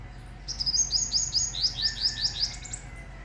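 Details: Tiny black sparrow with shining wings singing: a quick run of high, thin, downslurred whistled notes, about three per second, over a steady low background hum.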